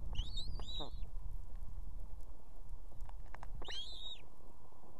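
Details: Female osprey at an Estonian nest with two chicks, calling the male to bring food: two bursts of high, sharp, whistled notes with slurred downward tails, about three seconds apart, over a steady low rumble.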